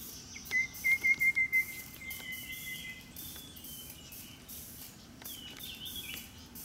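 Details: A Rufous-capped babbler (Cyanoderma ruficeps) foraging for worms in bushes in Daxueshan National Park, Taichung, Taiwan, on 30 January 2016, gives a quick run of about seven even piping notes on one pitch, then faint thin whistles from other birds.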